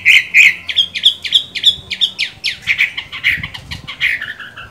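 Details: Chinese hwamei with green-bean eyes, in song while moulting: a string of loud, sharply downslurred whistled notes repeated several times a second, steady in pitch, then blurring into a faster warble.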